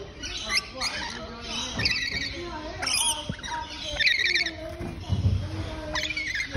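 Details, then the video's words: Several wild Rainbow Lorikeets in Australia, apparently discussing little stick pieces, give harsh, screechy squawks and chattering notes in irregular bursts over faint background noise. "Wild Rainbow Lorikeets"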